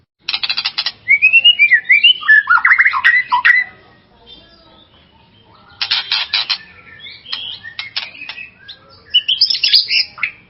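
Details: White-rumped shama singing to excite another shama: rapid harsh rattling notes leading into rich varied whistled warbles, a pause, then more rasping bursts mixed with clear whistles.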